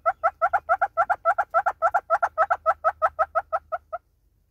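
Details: Loud, rhythmic clucking from a southern red-billed hornbill in South Africa, about four notes per second, the series fading slightly before stopping near four seconds, then silence.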